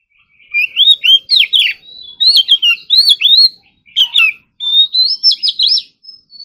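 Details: Morning singing practice of an Oriental magpie-robin in competition-style song: lively phrases of curved, fluty whistles separated by short gaps, ending with a high rising whistle and quick chipping notes.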